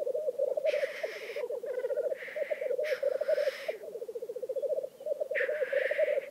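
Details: Black grouse at a lek in Vinje, Telemark: a steady, dove-like bubbling coo runs throughout, broken by several loud, hissing sneezes from displaying males.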